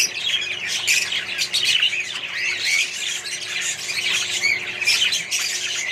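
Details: Colony of budgies and other birds producing an unbroken wall of squawky, buzzy chatter and quick chirps.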